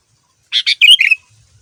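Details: A male sooty-headed bulbul sings actively as a lure for other bulbuls. It gives one crisp phrase of two clipped chirps and a gurgling, liquid warble that ends in a short drawn-out whistle. There is near silence around it.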